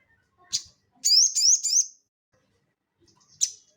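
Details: Crested jay (sogon) singing ngeleper-style for cage-bird training: one sharp high chip, then three quick rising, buzzy notes run together in under a second, and another chip after a brief silence.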